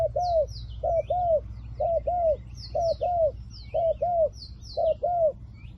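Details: Spotted dove kept as a decoy to attract wild doves, calling in crisp pairs of a short coo and a longer descending coo about once a second, with scattered high twitters of other birds.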